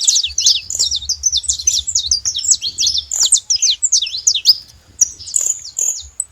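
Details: Saffron finches in the wild pour out a fast, high chattering phrase of crisp chirps, pausing briefly before a final few notes.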